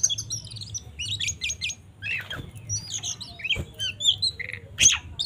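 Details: Kacer, or Oriental magpie-robin, giving fighting 'tarung' song meant to provoke other birds: quieter bursts of scratchy, buzzy notes and sharp high chips, a few clicks, and a low background hum.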